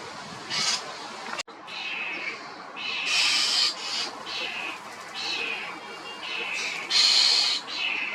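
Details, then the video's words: Loud calls of a common starling: rasping, noisy screeches of uneven length, some longer and stronger, given at irregular intervals with a constant hiss behind them. "Common Starling calls are loud"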